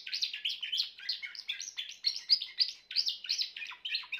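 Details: Grey Timbrado canary singing a continuous, rapid stream of high metallic trills and rolling notes, phrases changing every few tenths of a second, loud and clear with no other sounds.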